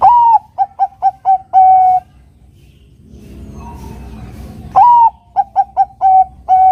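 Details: Bangkok-strain zebra dove singing to provoke a rival: two clean, loud phrases separated by a short pause, each a rising whistle, rapid bubbling coos and a long level last note.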